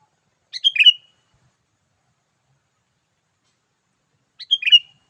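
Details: A sooty-headed bulbul's lively 'gacor' call, used to attract wild birds: two crisp bubbly phrases of rapid chirps roughly four seconds apart, with clean silence in between.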